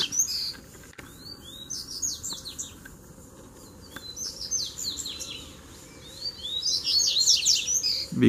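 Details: Coleiro (Double-collared seedeater) fighting duel, with three birds arriving at once. Three bursts of quick, repeated down-slurred high notes and buzzy trills are separated by quieter gaps, with a few faint clicks.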